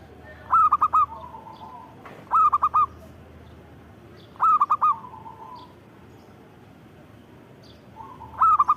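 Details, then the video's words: Zebra dove in song, delivering four-note cooing phrases about every two seconds. Each burst of rapid, rolling notes is trailed by a quiet, lower murmur. The background is otherwise still. "Suara Burung Perkutut Gacor"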